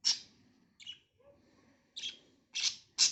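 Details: Pet budgerigars on a winter morning as they start their daily activities, feeding and warming up: sharp, bright chirps in five short bursts over about three seconds, with near silence between them.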